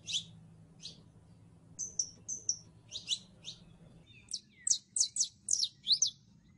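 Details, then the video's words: Saffron finch song of varied high notes: scattered chirps, two level whistled notes, then a quick accelerating string of bright downslurred chirps toward the end; soft low hum throughout. "CANARIO CRIOLLO (SICALIS FLAVEOLA)"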